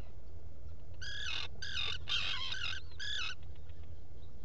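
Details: Black guillemots calling from a nesting burrow on Seal Island NWR, Maine, early morning, 5 July 2018, via burrow camera: four harmonic, reedy twittering phrases in close succession, the middle one longest and wavering, over a low steady hum.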